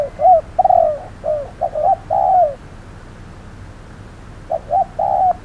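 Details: Decoy spotted dove calling at hot midday while trapping a cautious wild bird; a series of soft hooting coos, short notes leading into longer sliding ones, then a quiet gap and another short phrase.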